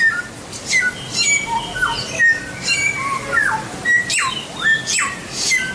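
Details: White-rumped shama song, a tutor recording for training songbirds: varied clear whistled notes, some sliding sharply up or down, mixed with short high chips and quick trills, delivered in lively bursts with brief pauses.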